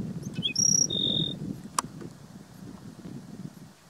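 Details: Black-throated sparrow at Gunlock Reservoir, Washington County, Utah, 12 May 2016, gives a short phrase of clear high notes: a brief chip, a very high steady whistle, then a lower held whistle, with low background rumble and a single click.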